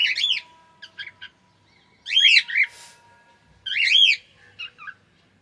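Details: Cockatiel singing: loud, rasping arched squawks come in bursts roughly every two seconds, with short chirps between them in a quiet room.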